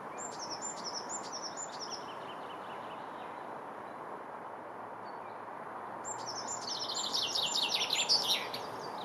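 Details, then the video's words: A Common chaffinch at Kurkimäki, Helsinki, Finland, on 7 May 2021, sings two bright descending rattling phrases, each ending in a flourish, over steady broadband background hiss. "Common chaffinch"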